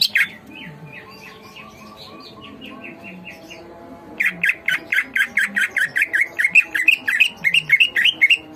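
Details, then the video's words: Greater green leafbird singing energetically: soft, faint twittering at first, then from about four seconds a loud, rapid string of sharp chirps repeated roughly twice a second, slightly varied in pitch. "masteran cucak ijo gacor"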